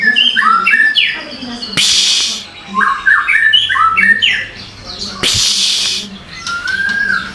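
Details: Bird song: rapid chirps and short whistled notes in quick repeated bursts, broken twice by loud rushing noise bursts, with faint speech in the background.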